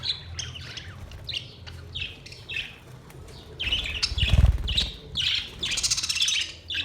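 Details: Budgerigars singing, recorded 22 May 2023: bursts of scratchy chirps and warbled notes, with a low rumbling thump midway.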